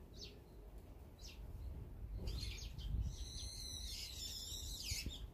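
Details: Brown-eared bulbuls feeding quietly as a group beside other birds: a few short sharp chirps, then a long rasping, scratchy call running through the last two seconds over a low background rumble.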